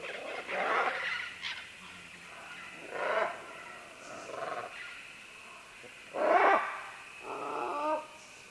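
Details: Green-winged macaws, several, calling as they work their way down vines at medium-close to medium range. Harsh squawks come every one to three seconds, the loudest about two-thirds through, followed by a rougher, broken call.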